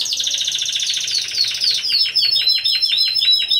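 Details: Song-bred Timbrado Español canaries, a team of four, competing in November 2015. A dense, churring roll gives way to evenly spaced, falling notes, about four per second, over a steady high whistle.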